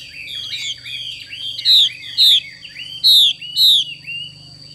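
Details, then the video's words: Female Chinese hwamei, 'xùy' call: soft warbling slurs lead into four loud falling whistled notes in two pairs, then quieter trailing notes. A thin steady high tone runs beneath. "Họa mi mái xùy cực đỉnh"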